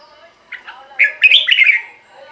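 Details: Red-whiskered bulbul song to get caged birds excited: a short run of bright, liquid whistled notes following two soft opening chirps, with quiet bird chatter beneath.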